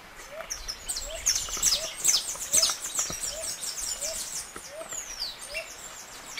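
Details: Saffron finch in canto estalo song, strong and snapping: dense runs of sharp high chips and slurred notes, with a soft low note repeating about every half second underneath and steady background noise.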